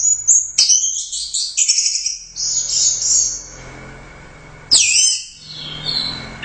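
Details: Orange-headed thrush, a competition bird and first-place winner at the Royal Cup, in full gacor song: dense, rapid, high whistled and buzzy phrases, then a pause before a sharp, bright burst of tumbling notes.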